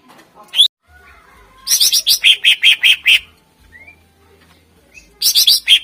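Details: Greater green leafbird song used to lure contest birds: a single sharp note, then a loud burst of rapid repeated notes, a pause with a soft rising whistle, and another fast burst beginning.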